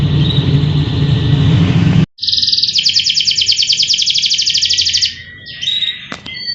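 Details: Caged canary during morning care, around its bath time: a loud rushing noise, then a fast, even, buzzy trill held for about three seconds, ending in a few short clipped notes.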